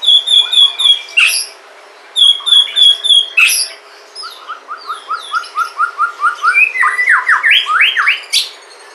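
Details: Song of a white-rumped shama from Sumatra, used as a lure to make other shamas sing: high ringing whistles in short trills, then a rapid run of repeated chirps building into loud rising slurred notes.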